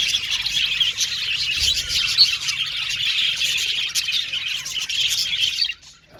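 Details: Budgerigar aviary chorus: busy, high-pitched twittering and chirps overlapping continuously, then cutting off abruptly just before the end.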